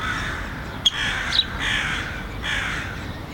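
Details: Syrian woodpecker chicks begging at the nest as parents feed them, near the ministry of finance despite traffic. Three hoarse, buzzy bursts, each lasting about half a second, with two sharp clicks, against low traffic hum.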